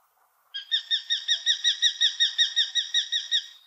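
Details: Common kestrel in the Wittlicher Tal, 2018, giving a fast, even series of about sixteen sharp, ringing 'kee' notes, roughly five per second, starting abruptly and holding a steady high pitch for three seconds against a quiet background.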